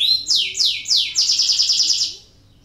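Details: Canary song used to stimulate lazy canaries into singing: rapid falling whistled sweeps repeated three times, then a fast buzzy rattling trill of even pulses that fades out.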